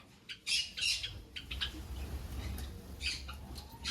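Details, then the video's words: Finches giving short, harsh, high chirps in scattered bursts, several close together, over a steady low rumble. "Finches Bird Sounds"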